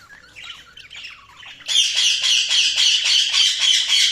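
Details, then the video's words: Budgerigars chirping: soft mixed warbling at first, then a loud, harsh, rapidly repeated squawking chatter pulsing about four times per second to the end. "Budgies Sounds| Budgies Chirping sound"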